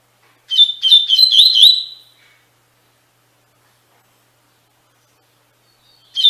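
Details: Double-collared seedeater singing Tui Tui Fibra song for training caged birds: a fast cluster of crisp rising whistles about a second and a half long, long silence, then another phrase begins.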